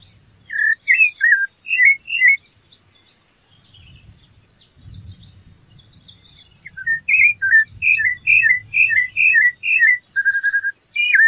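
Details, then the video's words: Rufous-bellied thrush song: bursts of quick fluted notes, a pause filled with low rumbling noise, then a rapid string of whistles ending in a flat held note. "sabia laranjeira cantando canta muito bonito"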